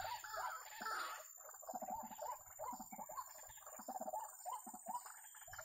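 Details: White-breasted waterhen recorded during trapping: an opening burst of harsh, broad calls, then a long series of short, gruff notes paired with deep pulsing grunts, repeated in a steady rhythm.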